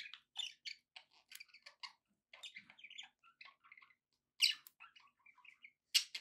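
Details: Contented budgerigars kept as pets making soft, sparse chatter: short clicky chirps and little squeaks scattered irregularly, with two louder scratchy notes standing out late on.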